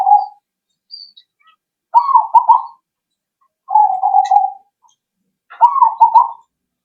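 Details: Zebra dove calls played to lure birds into answering: alternating steady trilled coos and stuttering rolled phrases, about every two seconds, clear and close, with faint chirps between.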